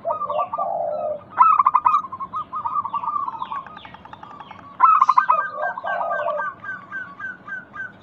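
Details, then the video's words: Zebra dove of local type used as a calling lure: low rolling coos and long runs of rapid staccato notes, two loud stuttering openings, and steady chirping of other birds. "Pancingan Ampuh burung perkutut lokal bikin nyaut kutut sekampung Untuk Atasi macet bunyi"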